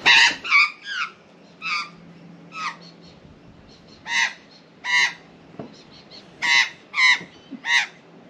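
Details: Female Australian magpie squawking loudly from a hoop pine in a front yard, agitated at a cat on a balcony near her nest: a series of about ten harsh, strident, nasal squawks in uneven bursts, with a brief human voice.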